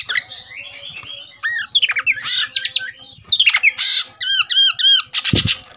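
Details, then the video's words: Fired-up Oriental magpie-robin, goaded to fight, sings harsh scratchy notes then a string of loud repeated arched whistles and buzzy bursts in quick succession, ending with a knock. "BIKIN EMOSI dasar Kacer "EDAN" tarung tak mau diam"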